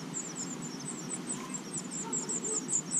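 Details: Five young house finch nestlings in a porch nest in Watertown, NY, being fed by both parents, give thin, high chips in a rapid, uneven chatter, several a second, over a steady low hum.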